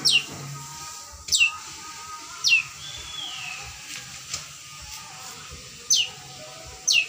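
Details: Fledgling long-tailed shrike that had stopped singing, now learning to sing again: sharp, high whistled notes slurring steeply downward, five spaced over seven seconds, with a faint low hum beneath.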